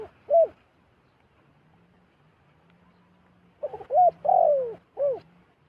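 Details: Wild zebra dove descending to a decoy bird, giving soft rolling coos: one short note, a pause, then a quick series of stuttering notes ending in a long downward-sliding purr, with a faint low hum throughout.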